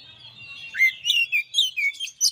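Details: Brief master song from a champion Oriental magpie-robin. Soft warble builds into loud, clear whistles, some rising, others dipping, spaced about every quarter second.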